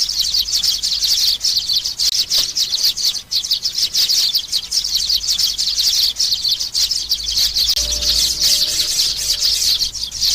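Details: Young sparrows produce an unbroken high-pitched chatter of fast, rasping chirps, densely layered, with a faint humming drone toward the end.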